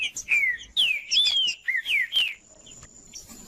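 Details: Green-winged saltator (trinca-ferro) singing strongly, song meant to warm up a cold trinca-ferro: a run of clear whistled phrases, several falling slurs and a rising note, with a steady high hiss after the song ends.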